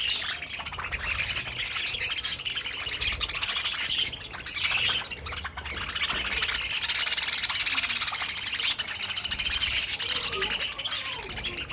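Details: Colony of pet budgerigars in an aviary giving continuous busy warbling, a dense wash of high chirps, clicks and squeaks with a brief lull midway.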